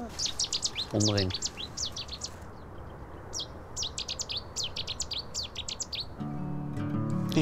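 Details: In reedy marsh at Kromslootpark, Almere, a Cetti's warbler gives bursts of rapid, sharp, high notes in quick succession, with a man's voice speaking briefly between phrases and again at the end.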